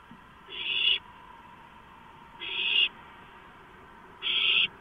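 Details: Owlets at a nest after a large rodent is brought in just after midnight on 23 March 2015. Three harsh, hissing screeches, each about half a second long, repeat roughly every two seconds over a faint steady background hum.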